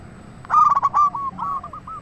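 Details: Lure song from a local zebra dove meant to provoke other doves into answering: fast choppy notes melting into a bright sustained coo, then quieter rolling coos fading out.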